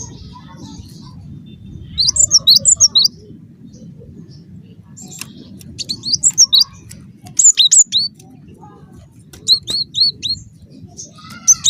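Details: Cinereous tit (gelatik batu) calling in lively form, a lure meant to make other tits answer; four bursts of sharp, high, two-note chirps repeated rapidly, separated by pauses, over a low steady hum.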